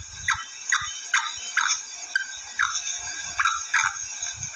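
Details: Hen black francolin repeating sharp, short descending chirps, nine or so at quick uneven intervals, over a constant high hiss and soft low rumbling.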